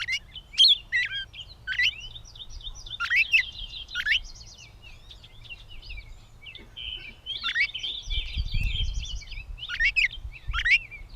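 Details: A Gray catbird in Bowdoinham, Maine, on 16 May 2020 sings a long improvised medley of squeaky, twangy and buzzy phrases in bursts with short gaps, against quiet outdoor ambience and one low rumble.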